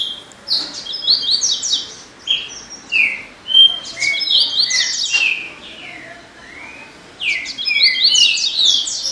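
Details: Double-collared seedeater song in bursts: rapid chattering trills and slurred whistles, with a pause before a final phrase starting near seven seconds; clear and close.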